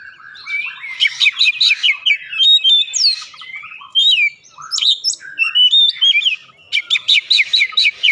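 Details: Oriental magpie-robin singing a lure song: fast runs of bright chirps and whistles, with quick trills around the two-second mark and rapid repeated notes near the end, all loud and clear.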